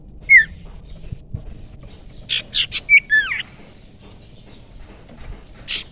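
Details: Young wild common iora (cipoh) used for luring: a single sharp falling whistle, then a cluster of short buzzy notes and two more downslurred whistles, with soft background hiss.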